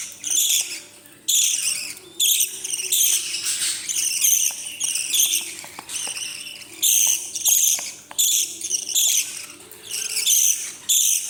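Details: Parrot chicks being fed at night, giving continuous hoarse, rasping begging calls in long rhythmic bursts with short breaks, several chicks calling at once.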